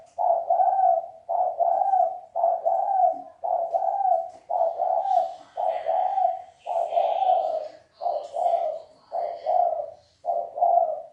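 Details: Steady series of about eleven low, rounded coos from a red collared dove, 'gáy gù' and 'thúc bổi' style, evenly spaced roughly one per second. Faint higher chirps sound in the background midway.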